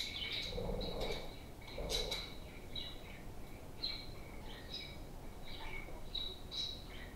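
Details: Pet budgerigars at play keep up a lively chattering warble of high, clipped chirps and squeaks, with a few brief lower sounds early on and steady chatter throughout.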